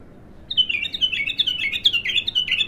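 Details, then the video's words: A raw bulbul in its first singing session gives a quick, rapid run of bright chirping and warbling notes that start abruptly and stay steady to the end, over a quiet background. "تغريد الابتر خام اول فتحـه له"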